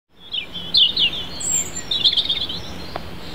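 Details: European robin singing at Holywell Dene: a short phrase of thin, high, tinkling warbled notes with quick twittering runs, over faint steady background hum.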